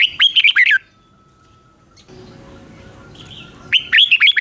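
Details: Red-whiskered bulbul, song played for voice training of caged birds or for trapping: a loud, bubbling whistled phrase opens and closes the stretch, with a quiet gap and faint murmur between.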